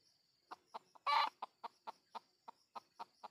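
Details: Red junglefowl being lured in the wild: a loud coarse burst early on, then a regular string of short clucks every quarter second over a continuous high-pitched insect drone.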